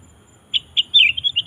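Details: Sooty-headed bulbul song used to draw in wild bulbuls: two short clear notes followed by a rapid bubbling, warbled phrase of several rolling notes, fairly loud and clean.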